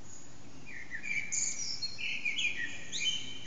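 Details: Eurasian blackbird singing in an echoing backyard around 4:30 am, unseen and recorded on an HTC Desire phone: fluid warbled phrases, sliding whistles and high twittering flourishes, with steady low background hum.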